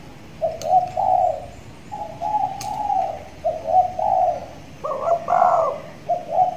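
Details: A six-month-old tethered, tame caged spotted dove that is starting to sing well gives soft, low, hollow coos in a run of short rolling notes, rising to a fuller double coo near the end, with a few faint clicks.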